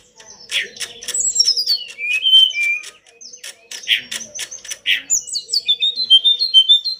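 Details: Pied bush chat singing constantly, recorded to tutor pet birds: quick clicking chips, sliding whistles and harsh notes, then a rapid descending series of thin high whistles.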